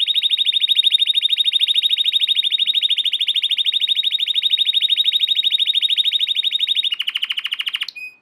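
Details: An American Singer canary sings its training song: a long, even, buzzy trill of very fast high notes held for about seven seconds, then a lower, coarser roll before it breaks off.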